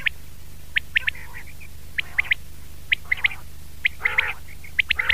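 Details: Common quail (batair), 2019: sharp high pips in threes, joined toward the end by rougher, lower layered calls, steady hum underneath.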